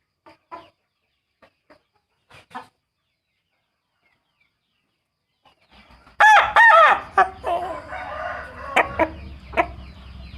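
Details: Scattered soft clucks, then a rooster with a trumpet-style crow bursts into a loud, ragged crow of broken harsh notes that trails into a wavering tail. A low steady hum runs underneath.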